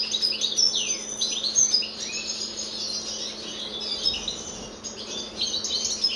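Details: European goldfinch at the start of the 2022 season singing a fast, continuous tinkling twitter with bright high trills and quick descending slurs, over a faint steady low hum.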